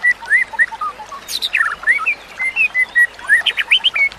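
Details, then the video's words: White-rumped shama song used as training material for other shamas: quick whistled slurs and flat notes interrupted by a harsh scratchy burst, with brisk varied phrasing. "Kicauan Murai Batu yang Menggoda Telinga"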